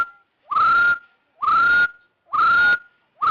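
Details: Trapping lure of a rufous-throated partridge: loud upslurred whistles that swell and then hold steady. They repeat about once a second, four in quick succession, with no background noise.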